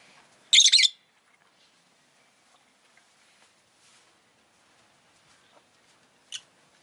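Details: Pet rosy-faced lovebird chirping: a loud, shrill half-second burst of harsh high chirps, a long quiet pause, then one short sharp chirp near the end, over faint street noise.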